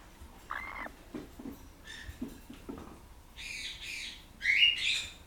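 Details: Pet blue-crowned parakeet being scratched by its owner, 15 August 2014: soft short chirps and quiet murmurs, then a few loud harsh squawks near the end.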